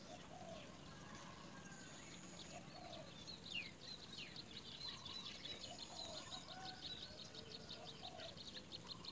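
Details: Great myna at its nest with young: a busy run of short, high chirping notes repeated rapidly for several seconds, with soft lower cooing and faint chatter beneath steady background hiss.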